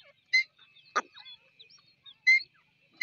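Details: Grey francolin (Ortygornis pondicerianus) giving loud, shrill whistled calls spaced about two seconds apart, with a sharp knock and faint high chirps between.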